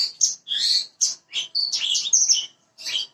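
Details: Parva-type bushlark song meant to spur a bird into singing quickly: a rapid run of high, varied chirps, buzzy slurs and sharp whistles in short bursts, with brief gaps between them.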